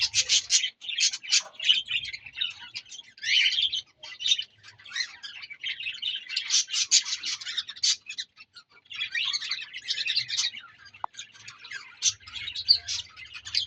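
Budgerigars chatter in a busy stream of high, scratchy chirps and warbles with brief pauses.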